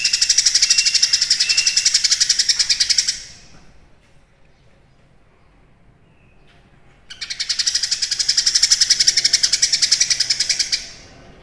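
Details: Cucak kinoi in full song: two bursts of fast, harsh, rattling chatter, each about three to four seconds long. Between them is a quiet gap of roughly four seconds, with a couple of short whistled notes inside the first burst.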